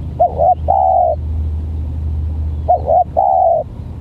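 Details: A tekukur (spotted dove) with a strange call, pitted against a stuttering lure bird, utters two phrases of short stuttered notes, each run into a long level coo, while a steady low engine-like drone sounds beneath.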